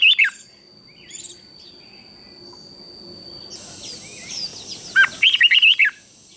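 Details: Thai red-whiskered bulbul in southern master style, used to excite other bulbuls. A brief whistled note opens, then a busy chorus of twittering birds, then a rapid run of bright, warbling notes.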